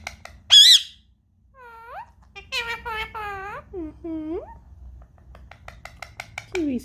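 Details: Curious pet parrot in a small room, keen to play with a tablet, gives a sharp squeak, then a run of speech-like harmonic syllables that slide and bend in pitch, ending in a falling squeal, with faint background hum.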